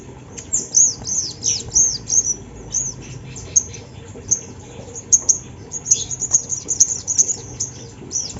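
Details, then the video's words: Sunda laughingthrush lure song for drawing out other birds: a steady stream of high, sharp, slightly down-slurred chirps and squeaks in irregular clusters, with a few louder accented notes near the end. "Suara sogon yang bikin bunyi burung bahan"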